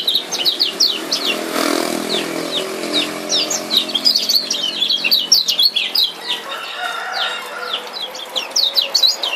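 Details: Rapid, high, slurred chirps from a male Lombok lemon-bellied white-eye, 'ciak ciak' calls played to stimulate a silent kept bird to open its beak and sing; notes pour out in quick bursts over a soft low murmur.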